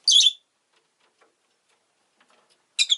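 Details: Pet rosy-faced lovebird sounding a loud, grating chirp at the start and another shrill burst at the end, near silence between.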